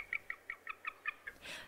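Bald Eagle giving a thin, weak-sounding series of about eight high piping chirps, roughly five per second, ending in a brief rush of broad noise.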